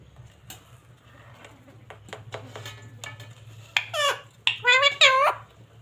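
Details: Pet rose-ringed parakeet (mitthu) in a small room, said to talk and say "papa": a woman speaks softly, a few clicks, then a run of loud, harsh, squawky voiced syllables near the end.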